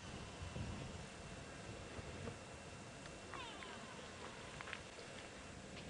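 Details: Grey go-away-bird calling close by during a very hot April afternoon drive at Djuma Game Reserve: a few nasal, drawn-out, cat-like calls sliding downward over a steady low rumble of wind and engine.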